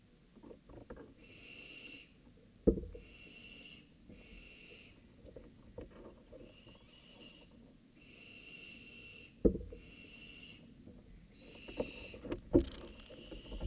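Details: Barn owls at a nest around an owlet's first flight, recorded 23 July 2018 near 22:46 at night; harsh hissing bursts under a second long, repeated every second or so with pauses, broken by sharp knocks and thumps.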